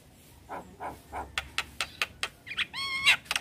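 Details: Black-winged starling in lively song while nodding its head: three soft low hoarse notes, then a run of sharp broadband clicks and chacks, ending in a clear harmonic whistled phrase with rising and falling notes.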